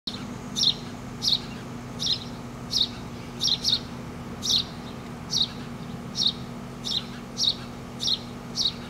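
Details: Four nestlings in a front-yard tree, being fed by their parents: sharp high chirps in short bursts, repeated roughly every half second with a few doubled notes, over a steady low traffic hum.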